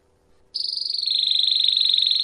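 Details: After a brief quiet moment, a Belgian canary of the campainha type begins a sustained high rolling trill, steady and ringing, slipping slightly lower in pitch and continuing without a break.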